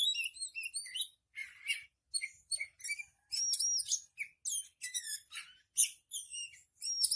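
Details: Continuous, energetic oriental magpie-robin song made of rapid runs of piercing whistled notes, buzzy chirps and quick trills, changing phrase every second or so, clean with no other sounds.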